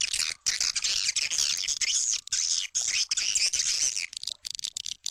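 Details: Swiftlet calls played to attract swiftlets: dense, continuous high twittering and chirping with buzzy rapid trills, many notes overlapping with only brief breaks.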